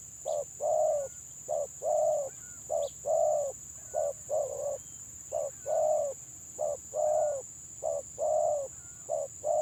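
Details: Repeated staccato cooing from a village spotted dove in the 'gagap' stuttering manner, short and longer hoarse notes alternating steadily over nearly ten seconds, with occasional faint chirps and background hiss.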